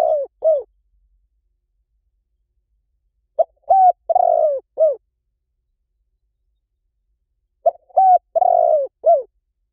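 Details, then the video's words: Spotted dove cooing on a decoy recording used to bring wild doves in quickly. Low hoarse four- to five-note phrases, with a rising coo, a long rough coo and a down-slurred end, come roughly every four seconds over clean silence. "เสียงนกเขาใหญ่ หมานๆ ต่อเข้าเร็ว ป่าไหนก็เข้า"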